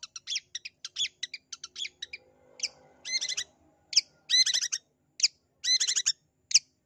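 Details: Long-tailed shrike (pentet) calling, used to prompt a shy or quiet shrike to sing: short sharp chips in quick bursts, then harsh, rasping, stacked notes in clusters separated by pauses.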